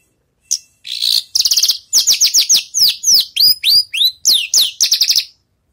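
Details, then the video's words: Javan bush lark rehearsing songs after moulting, a continuous five-second medley of buzzy trills and many sharp, high curved whistles delivered at a brisk, uneven pace. "branjangan selesai mabung latih bongkar lagu"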